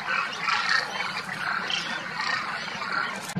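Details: Massed demoiselle cranes, winter visitors from Mongolia, at Kheechan village in India's Rajasthan desert; a thick wash of overlapping trumpeting calls, some individual rolling notes standing out clearly.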